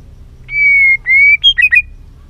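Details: White-rumped shama being trained to sing many voices: two long, loud, pure whistles held steady, then a higher note and three quick slurred warbling notes.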